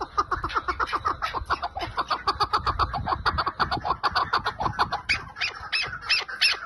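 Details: ['Lal-type chukar partridge delivering a fast, steady chuckling series of clipped notes, about three per second. A brighter, higher burst of notes comes near the end, over a faint low background rumble.']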